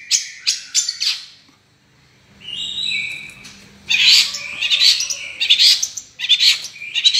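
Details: Long-tailed shrike in full song. A few sharp chattering notes lead into clear, drawn-out whistles, then loud, grating, buzzy bursts come in quick succession.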